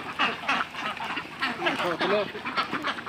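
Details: Khaki Campbell ducks on a duck farm of about 500 birds in Muktagacha, Mymensingh, Bangladesh, give a busy stream of short, nasal quacks, several birds overlapping in quick succession, with faint human voices mixed in.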